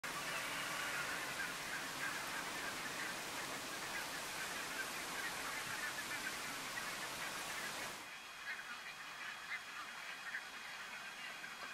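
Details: Flock of Cackling Geese (Hutchins's, Branta h. hutchinsii) in February at Strijen, Netherlands: dense, overlapping chorus of high, yelping honks, rapid and continuous, dropping to a quieter, sparser murmur near the end.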